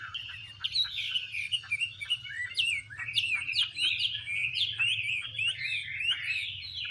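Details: Chinese hwamei while a female dances with spread feathers to urge the male on; quieter opening notes build into a rapid jumble of bright, jerky whistled phrases and chatters, with low hum in the background.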